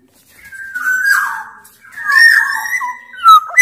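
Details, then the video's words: Lure song of a big-bodied Sumbawa black-naped oriole, used to get quiet orioles calling. Two rich fluty phrases with a wavering, slurred quality, then sharp clipped notes at the end. "Burung kepodang sumbawa gacor"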